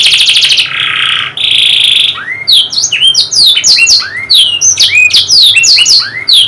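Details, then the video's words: Canary singing to coax a lazy bird: a pair of buzzy trills, then upward-curving whistles and a rapid rattle of bright sweeping notes. "KENARI MACET❓MALAS BUNYI⁉️ KASIHAN‼️Nih Kicau Paling Ampuh Dan Mewah"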